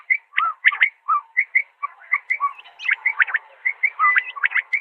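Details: Common quail calling in 2020: short liquid whistled notes in quick bursts, overlapping and uneven in pace, as if more than one bird answers.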